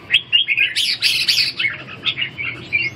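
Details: Red-whiskered bulbul in a song contest: rapid, loud chattering warble of slurred whistled notes, with a harsher buzzy flurry in the middle, then quicker clipped phrases closing the clip.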